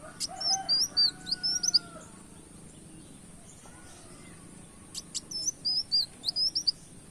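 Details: Brown-throated sunbird giving canary-like tembak kenarian song for a lure recording: quick high twisted notes, then longer steady lower whistles in the pause, before another short flurry of sharp, high chirps.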